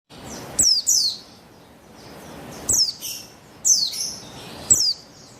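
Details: Female buxtoni Javan white-eye, used to lure males into singing, recorded 3/8/21; sharp high chirps with falling slurred notes, in pairs at about 0.6, 2.7, 3.7 and 4.7 seconds, with faint background hiss.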